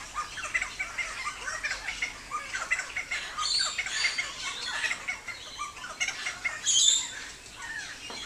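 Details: Helmeted friarbird (Philemon buceroides) singing a run of harsh, squawking and chattering notes in quick, uneven bursts, with other birds twittering high behind it.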